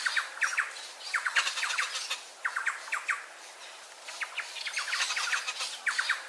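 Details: Turquoise-fronted amazon (Amazona aestiva) chick begging while being fed: rapid bursts of harsh, rattling squawks in clusters about once a second, with no other clear sounds.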